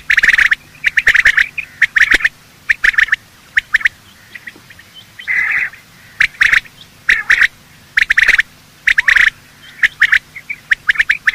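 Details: Morning calling by male and female quail, employed for hunting: bursts of raspy chattering notes separated by pauses, one longer buzzy phrase midway, plus crisp clicks.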